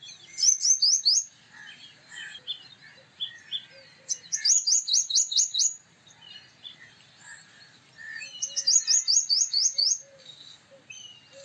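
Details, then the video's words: Male purple sunbird song: three bursts of rapid, high, sharp twittering notes about every four seconds, with softer chips and other faint bird calls between. "Purple Sunbird Song"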